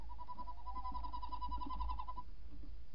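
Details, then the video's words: Tawny owl pair at the nest before dawn, 28 December 2018, female in the entrance hole, male calling outside: a steady, fast pulsed trill lasting about two seconds, followed by faint lower notes. "Bosuil, V roept in vlieggat/op de cam, M roept buiten"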